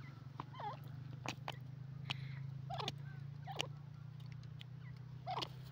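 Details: Yellow francolin, locally called Sindhi teetar, calling: short hooked notes that dip and rise, given about every second, over a steady low hum and scattered sharp clicks.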